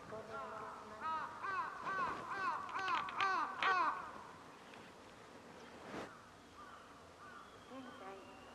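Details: Crow at a zoo in Sapporo, Japan, filmed on 22 February 2021 beside the polar bear enclosure at feeding time, cawing about seven times to summon its companions; harsh, arched, repeated caws over the first four seconds, then a faint background hum.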